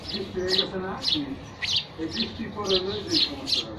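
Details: Quick high chirps from sparrows, bright clipped notes spaced about half a second apart, with soft low humming voices beneath.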